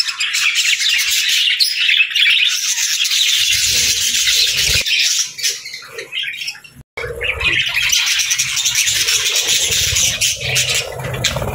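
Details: A group of budgies keeps up a continuous bright twittering of quick, squeaky chirps, thinning briefly and falling silent for an instant near the seventh second before the chatter resumes.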